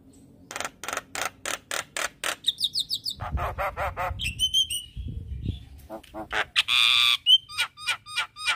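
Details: Javan myna song used daily as a morning lure for silent birds: a regular series of grating notes, a trilled whistle, chattering rasps, one long buzzy squawk near seven seconds, then sharp rising whistles.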